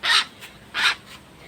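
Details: A young pet hill myna from the Chittagong hills, about three to four months old, gives two harsh, hoarse squawks about 0.7 seconds apart, each lasting a quarter second, with a faint softer note between them.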